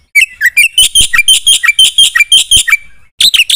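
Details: Black-winged myna with gacor full isian song: loose series of loud, varied chirps and harsh squeaky notes, unevenly spaced, pausing briefly before a final quick burst.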